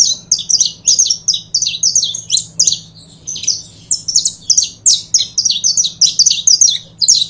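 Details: Continuous high chirping from a pair of saffron finches, bright slurred notes repeated rapidly in overlapping phrases with hardly a break. A steady low hum lies underneath.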